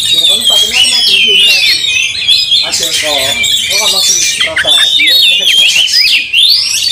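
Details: Agitated white-rumped shama in a fight, pouring out fast whistles, squeaky squawks and slurred notes nonstop, with faint lower harmonic calls underneath.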